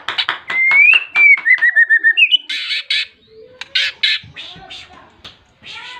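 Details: White-rumped shama in full, persistent song, calling out a rival and meant to provoke other shamas to sing: rapid sharp clicks, a long sweeping whistle, a quick series of repeated notes, then loud harsh rasping bursts separated by pauses.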